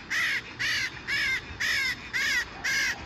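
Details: Parakeet in a city, giving harsh, grating squawks about twice per second, six calls in a steady even rhythm.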